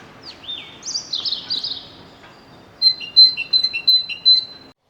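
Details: Great Tit song: after a few looser slurred notes, a clean series of paired whistles, high then low, repeated about five times at a steady pace.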